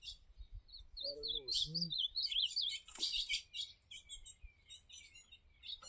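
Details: Ultramarine grosbeak singing in the campeada style: a rapid run of clear, warbled, up-and-down whistled notes, high and continuous. A brief lower harmonic sound falls midway, with soft low thumps beneath.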